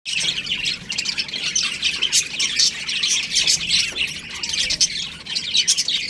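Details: Baby budgerigars in an aviary: a dense, continuous flock chatter of high scratchy chirps and squawks, overlapping without pause for six seconds.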